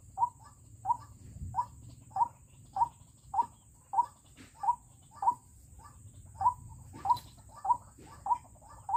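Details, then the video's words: White-breasted Waterhen used as a trapping decoy to draw in wild waterhens, giving regular clipped calls, each with a quieter trailing note. The calls repeat roughly every 0.6 seconds against low background hum. "Pikat ruak-ruak ku garang sekali"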